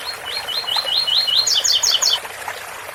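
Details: Double-collared seedeater singing the ouro fino song style, described as 8x4 and 7x4, with fountain water: a run of clear, rising slurred whistles, then four higher, quicker descending double notes.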